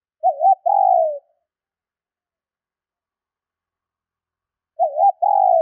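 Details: ['Female spotted dove calling to stimulate males: a short wavering coo followed by a longer, smooth, slightly falling coo, given twice about four seconds apart against a silent background.']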